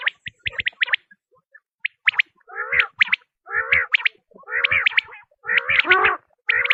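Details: Quail sound tested by hunters to attract birds: quick high whistled pips at first, then repeated phrases of sharp notes running into wavering harmonic trills, about one a second.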